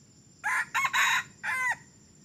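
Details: Red junglefowl that began crowing only three weeks earlier, taken out as a decoy for luring wild junglefowl, gives one loud crow in four clipped bursts, the last held briefly and dropping at its end, over a faint steady background hiss.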